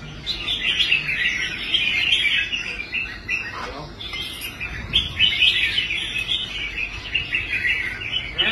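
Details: Restored competition red-whiskered bulbul in a cage, singing well on the rack: long runs of rapid chattering whistles, briefly pausing mid-way before resuming.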